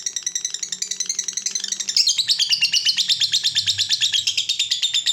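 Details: Long-duration ngekek of a fighter lovebird used to train other lovebirds: a quick chattering trill of high notes, growing louder and denser after two seconds, with a faint low tone beneath.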